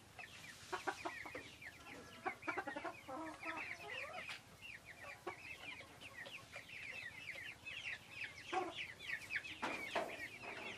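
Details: Farm flock of Silkie chickens giving dense overlapping chirps, quick downward-sliding peeps that run continuously, with a few sharp clicks and knocks in the background.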